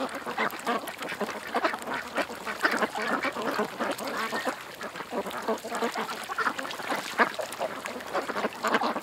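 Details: Many ducks at a creek quacking together, a steady wash of overlapping raspy calls with no pauses.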